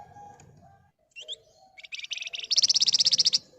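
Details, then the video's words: Flamboyan bird used as a lure to make other birds sing, in rapid ngebren nyerecet delivery: a few short chirps and rising notes build into a loud, fast buzzy trill of closely spaced pulses lasting about a second. "Burung Flamboyan Gacor Emosi Ngebren Rapat Nyerecet Cocok buat Pancingan agar cepat Nyaut"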